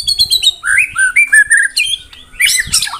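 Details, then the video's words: Murai batu, the white-rumped shama, in 'tembakan rapat' song: quick high chips flowing into a series of rich, clear whistled notes at varied pitches, ending in a harsh, scratchy flourish. "Tembakan Rapat Burung Murai Batu"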